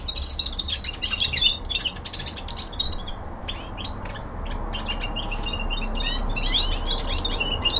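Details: Young male common linnet singing indoors, with lively bursts of high twitters and trills, a looser passage of clipped chirps in the middle, then another dense warbling run.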